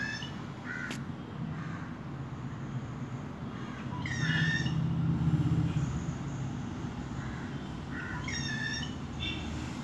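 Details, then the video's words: Small bird singing at midday from a mango tree branch beyond a window, recorded on a mobile phone: brief bursts of clear, harmonic whistled notes at the start, middle and end, over a steady low rumble. "small bird മധുര ഗാനം"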